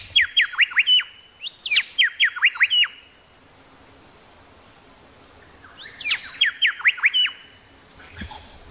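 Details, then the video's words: Loud Tasmanian grey shrike-thrush phrases, two bursts of rapid ringing notes each dropping steeply and snapping back, separated by a few seconds of quiet with faint background chirps. "Grey Shrike Thrush calls"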